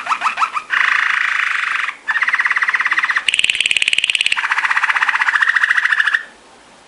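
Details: Belgian Malinois Waterslager song canary training song: a few quick notes, then sustained rolling trills that step between low and high pitch, soft and bubbly like running water.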